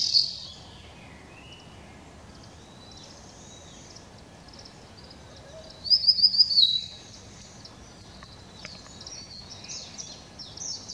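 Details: Blue-and-white flycatcher (Cyanoptila cyanomelana), recorded 7 May 2016, gives one brief high phrase of about six quick notes, slipping downward at the end, over steady outdoor background noise.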